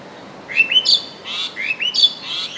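A common myna gives two quick bursts of rising whistles mixed with harsh, chattering notes, about a second and a half apart, over a soft background hiss.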